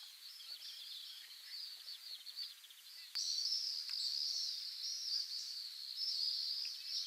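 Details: Pacific swifts at a breeding site in Mongolia give shrill, buzzy screaming trills, high-pitched and almost continuous, with several birds calling over one another and growing louder midway.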